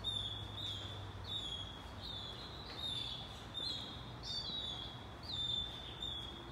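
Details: Hungry Say's phoebe nestlings close to fledging beg while their mother brings food. Their high, thin, sustained squeals come in repeated pulses roughly every second, with a faint low hum underneath.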